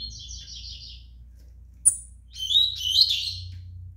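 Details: Juvenile double-collared seedeater aged five months: a trilled buzzy opening, a pause with one sharp tap, then a louder warbling run of high slurred notes over a low hum.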